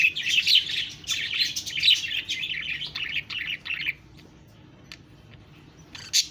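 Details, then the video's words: Budgerigar chirping in bursts of rapid, bubbling warbled notes for about four seconds, then near silence broken by a few faint ticks and one short sharp chirp at the end. "Budgies Birds talking sound Birds chirping sounds"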